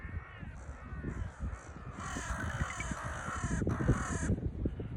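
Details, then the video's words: Crows gathering on a Baltic Sea beach at Liepaja, Latvia: hoarse, drawn-out caws overlap in the middle of the clip, set against steady surf, wind rumble and crunching footsteps. "Crow Gathering on a Serene Beach Walk"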